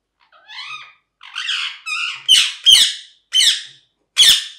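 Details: Parrot, possibly a pet green ringneck, giving a series of loud harsh squawks and screeches, roughly one every half second, some with rough buzzy overtones, in a small indoor room.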